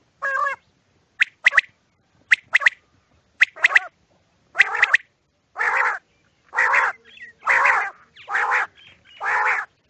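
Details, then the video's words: Quail at night gives short clipped notes, single then paired, turning into harsher rasping calls about once a second, with no other sounds. "Quails sounds"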